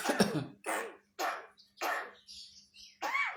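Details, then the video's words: Javan myna imitating a person coughing: five harsh, breathy cough-like bursts about every half second, with a faint steady hum behind. "jalak kebo istimewa bisa niru,in orang batuk"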